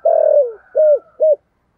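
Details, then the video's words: Loud spotted dove call in the thổ sấm style: a long, buzzy, hoarse note sliding down at the end, followed by two short arched coos, then silence. "cu gáy giọng thổ sấm gáy gọi cực đỉnh vang cả xóm"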